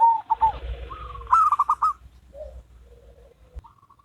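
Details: Zebra doves, a local bird and a crossbred bird in duet; a soft coo near the start, then a louder burst of rapid trilled coos, followed by quieter low notes and a short coo at the end.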